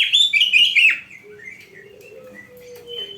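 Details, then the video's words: Oriental magpie-robin singing energetically in a bird-keeping training recording from Indonesia: a loud, rich, varied warbling phrase for the first second, then softer whistled notes and a low, drawn-out tone over a faint hum. "Masteran Burung Kacer yang cocok untuk Latihan"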